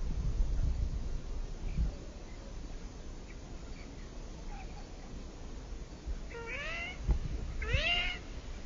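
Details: Ringed teal duck uttering two mewing, upward-sweeping calls about a second apart near the end, each breathy and harmonic-rich, after several seconds of low rumbling background noise.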